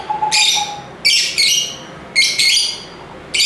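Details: Lovebirds calling with piercing, grating shrieks, two or three close together then a pause, about one burst per second, with a soft brief tone at the start.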